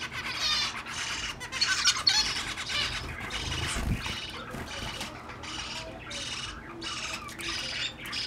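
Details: Zebra finches during mating attempts, with several birds calling over one another in a busy stream of short nasal squawks and chattering notes. A faint low thump sounds near the middle.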